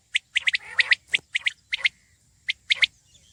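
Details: Common quail calling in brisk clusters of two to three sharp, clicking notes, followed by a pause and a final double phrase, over a faint steady high hiss.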